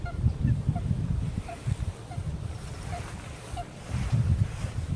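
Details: Eurasian coot (Fulica atra) on a pond at the Eijsder Beemden nature reserve on the morning of 7 October 2024, among groups preening, gives short, clipped mid-pitched calls about every two-thirds of a second over heavy low wind rumble.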